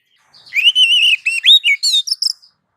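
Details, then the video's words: Oriental magpie-robin singing to provoke other birds into answering: a sustained warbled whistle, then a quick series of slurred up-and-down notes ending in high chirps, with no background sounds. "Dijamin langsung nyaut kalau dengar suara masteran Kacer satu ini"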